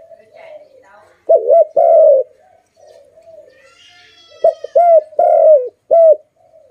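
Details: Pet dove calling very loudly: soft low cooing, then loud hollow coo notes in short groups of two and three, each note bending downward at its end, with faint chirping in between.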